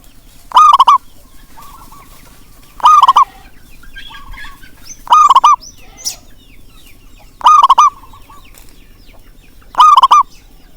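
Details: Local zebra dove with a big voice, used to prompt quiet doves to call. Five loud, clipped, rattling coo phrases come roughly every two and a half seconds, with soft distant coos and a brief sharp click between them.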